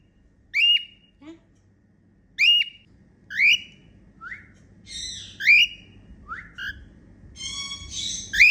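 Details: Female cockatiel singing and making happy sounds: clear whistled notes that sweep up then drop, given in separate bursts, then quicker chattering, harsher notes near the end over a quiet background.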